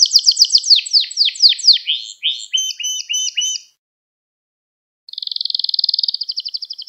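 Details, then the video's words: Canary tutor song for young birds: a series of rapid downward-swept notes, then stuttering doubled trills, a short silence, and a smooth, fast high trill. "Kanarya Sesi Ve Ötüşü"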